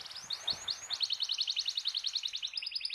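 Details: Canary rolling song to spur other canaries: several swooping notes lead into a fast, even, pulsing trill, with soft background noise and a few low knocks.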